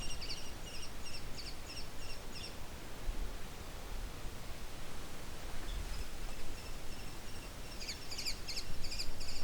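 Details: Juvenile American Kestrel with a male nearby, vocalizing in midair as it flies off: rapid, high, thin klee-klee-klee notes in two short bursts, at the start and the end, over heavy low wind rumble.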